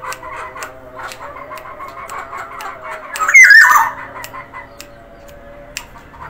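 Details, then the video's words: Sumbawa black-naped oriole in full voice: a single short liquid whistled phrase about halfway through, set against soft ticking and a low background hum. "kepodang sumbawa gacor variasi"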